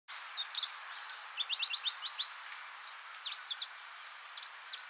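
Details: Pallas's leaf warbler, a scarce passage migrant on Hegura-jima island, Japan, gives a rapid, varied run of high sharp notes and quick rising and falling trilled phrases, continuous throughout, in a quiet setting.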